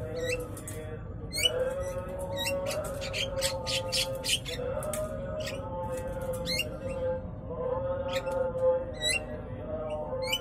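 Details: An old male Javan myna calls to court a young female, who rejects him. Sharp, squeaky, twisting squawks repeat at irregular intervals over a steady low droning tone with harmonics.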